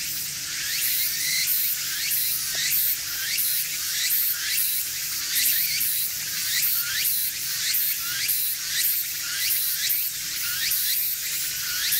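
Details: Rapid, hissing splashes of water repeat roughly every second, with no clear animal call.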